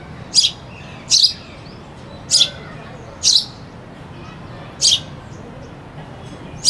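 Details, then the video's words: A sparrow gives six short, bright chirps at an uneven pace, roughly one every second, over a faint low background murmur; a cuckoo is said to sing in the background. "sparrow bird sound (with cuckoo singing in the back)"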